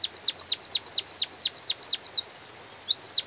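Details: Bondol haji, the white-headed munia, singing a steady run of about ten high, swooping notes that bend downward, then a short pause and two more notes. From a bird-training recording.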